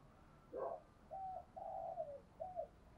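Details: Spotted dove decoy bird calling to lure other doves; a faint, distant series of soft coos, one short note then three drawn-out hoots with a falling end, over low background hiss.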